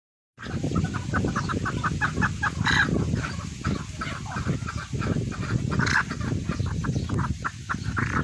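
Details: Young partridge chicks calling: a steady run of short, clucking peeps, several each second, over a heavy low rumbling background.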